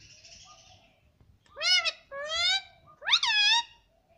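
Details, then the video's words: Indian ringneck parrot kept as a pet, talking; three loud, harmonic, rising-and-falling squawking calls, each about half a second long, preceded by quieter vocal sounds. "Talking Parrot"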